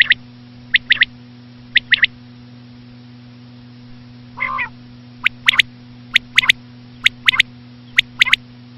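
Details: A common quail gives three quick triplets of high clipped notes, then a rasping nasal call, then four more triplets at a steady pace of roughly one per second. A low hum is constant.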